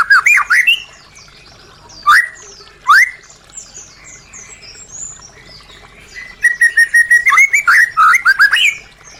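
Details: White-rumped shama singing, meant to prompt silent caged birds to sing: isolated loud upswept whistles separated by pauses, then a rapid string of even whistled notes ending in quick looping phrases.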